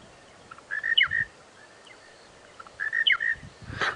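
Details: Monotonous lark seen and heard at sunrise on 25 March 2017 on a safari drive in the Djuma Game Reserve area, repeating a short, liquid, warbled phrase of a few quick notes about every two seconds, with a soft rustle at the end.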